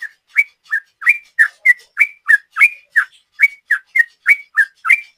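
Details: 'Ropel' song from a sooty-headed bulbul, used to lure: about fifteen quick whistled notes in five seconds, alternating higher rising and lower falling tones in an unbroken chatter.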